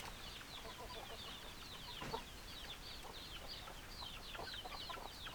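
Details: Hens clucking in a steady, overlapping chorus of short, sharp, repeated notes, with several birds calling at once and no single voice standing out; a faint background hiss runs throughout.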